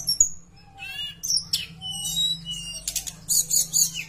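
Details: Bush lark song meant to make other Javan bush larks join in: a short trill, upslurred chirps, a thin level whistle and bursts of high buzzy notes, over a low steady hum.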